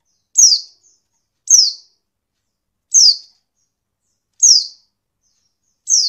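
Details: Oriental white-eye female calling, a sound used to get male birds singing quickly; five bright, high descending notes repeated every one and a half seconds or so, clean with no background noise.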